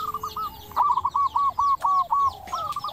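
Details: Local zebra dove with a clear, crystal-toned voice, singing actively, used as a lure to make other doves answer; a phrase of short hooked cooing notes around the middle register, repeated in quick succession over faint background birds.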